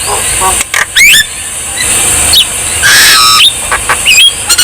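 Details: Javan myna song used to stimulate lazy birds to sing: loud whistled upward sweeps and harsh squawky bursts, broken by pauses, over a constant high hiss with faint traffic.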